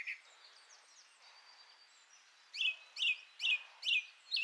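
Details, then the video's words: Song thrush (Turdus philomelos) singing a few soft, varied notes, then one bright, sharp phrase repeated five times in quick succession, about twice a second. "Birigarroa (Turdus philomelos), kantua"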